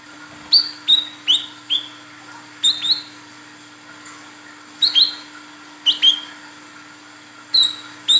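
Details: Calls of a female olive-backed sunbird summoning a male, used for luring males: pairs and trios of bright, high notes sweeping downward, spaced irregularly with gaps, accompanied by a constant low hum.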